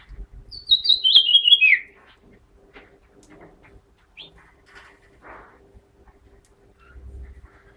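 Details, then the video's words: House finch delivering one fast, twittering phrase that slides downward, then quiet with only faint scattered notes. "çütre (meksika) ötümü"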